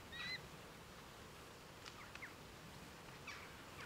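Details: Over 100 wild red kites gathered in East Northants, England, recorded on 23 November 2015: one short, clear, high whistle with a bright overtone opens the recording, followed by a few faint, thin calls over steady outdoor background hiss.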